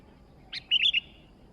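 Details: Bulbul song from a newly acquired sooty-headed bulbul in full voice: a short rough chirp followed by three bright, liquid notes in rapid succession, rising and falling, clean against a low hum.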